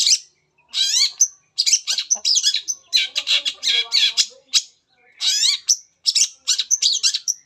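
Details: Long-tailed shrike (cendet) singing its full material to prompt other shrikes: long runs of loud scratchy squawks and downslurred buzzes, clipped high whistles between them, with short silent gaps.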